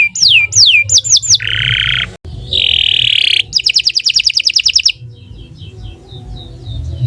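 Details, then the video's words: Canary song intended as a master for other birds: a few swooping whistles, two harsh buzzy bursts, then a rapid rattling trill fading into soft chirps, with low background rumble. "Kicau Burung Kenari 149 II LUAR BIASA GACOR PANJANG Cocok untuk Masteran"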